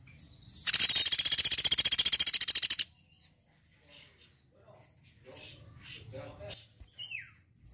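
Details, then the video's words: Woodpecker letting out a loud, steady rattle of sharp, high notes, about thirteen per second for just over two seconds, followed by quiet human speech. "MASTERAN BURUNG PELATUK GACOR"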